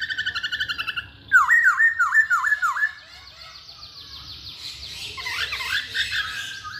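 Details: Masked laughingthrush singing to stir other birds into song: a steady rapid chattering series, then a loud run of five dipping V-shaped whistles, followed by a dense, softer jumble of notes.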